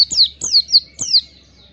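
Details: Oriental white-eye, kept as a songbird, used as a training recording to spur singing: four high, thin, whistled notes, each sliding sharply downward, given in quick succession about every third of a second.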